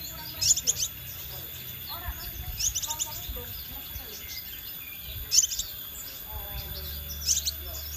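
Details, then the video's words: Scarlet minivet lure: clusters of high, thin, slurred notes recur about every two seconds, with quieter lower chirps between them and a steady high tone in the background. "Pancingan Sepah Raja Ekor Merah"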